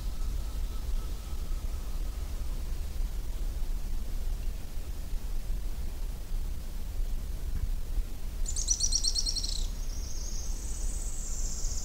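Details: Araucaria tit-spinetail singing: after a long quiet stretch, a brief very high dry trill of rapid notes lasts about a second, then gives way to a thin high whistle. A steady low rumble runs underneath throughout.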